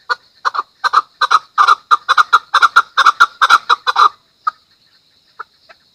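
A chukar gives a fast run of harsh, clucking chuk notes, about two per second, breaking off into a few scattered single notes.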